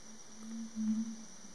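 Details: Red-ruffed Fruitcrow (Pyroderus scutatus) gives a very deep, booming hum that swells in the middle, with a steady high insect whine behind. It is at a courtship lek of at least nine males in the Yabotí Biosphere forest of Misiones, all calling with inflated throats on a cold morning.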